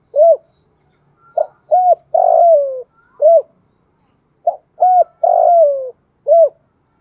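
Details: Spotted dove lure song for training a bird to sing, two clear cooing phrases, each of short hollow coos building to a long, falling drawn-out note and a final short coo, with a pause between.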